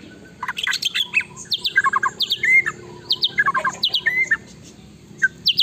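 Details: White-rumped shama song meant to spur another shama to answer: rapid jumbled chattering notes in quick clusters, harsh and varied, repeated through the passage over faint hum.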